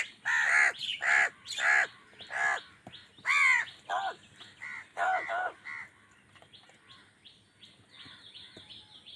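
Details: Crows calling while fighting wild birds for food, angry: a run of harsh, rasping caws repeated about twice a second for five seconds, then fading into quieter background sounds.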